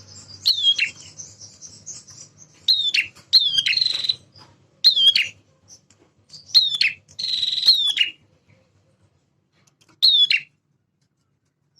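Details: Eager male prinia of mixed semi and klawu style, played to rouse caged birds: harsh buzzing phrases with high clicking notes spaced a second or two apart, trailing into silence near the end.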